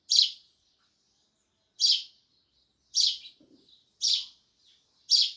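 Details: Loud sparrow chirping: five bright, clipped chirps at roughly one-second intervals, with faint twittering and a small low rustle between them.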